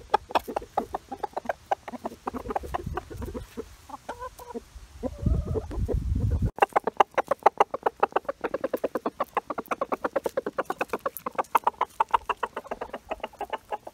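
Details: Rooster calling the flock over to a large find of beetles and mosquitoes as chickens feast on bugs; low harmonic clucking calls mid-clip amid a steady fast rattle of sharp pecking taps that keeps going to the end.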